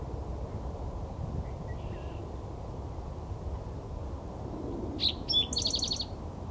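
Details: An Eastern Towhee sings at Jamaica Bay Wildlife Refuge, Queens, New York: two sharp high notes followed by a quick buzzy trill, over a steady low rumble of wind or distant traffic.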